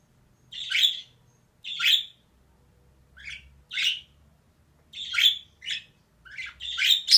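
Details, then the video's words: Female budgerigar chirping harshly in an irregular series, loud buzzy notes mixed with shorter thinner ones, ending in a quick burst of rasping calls; faint low hum beneath. "DİŞİ MUHABBET KUŞU SESİ"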